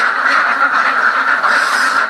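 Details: A crowd of farmed ducks gives overlapping nasal quacks that swell and fade over about two seconds, forming one unbroken noisy chorus.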